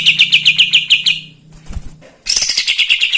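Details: Kapas tembak in song for provoking other birds: quick sharp high notes over a low hum, a brief pause with a knock, then a dense burst of rapid chips.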